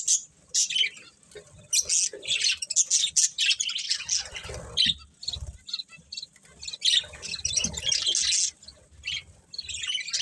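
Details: Several pet budgies chirp and warble in bursts, bright quick tweets and harsh squawky notes with short quieter gaps, plus a few soft low thuds.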